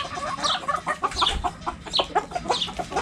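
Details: Several backyard hens cluck around a cabbage: short, mid-pitched, slightly wavering notes tumbling over one another, with a few high squeaky chirps on top.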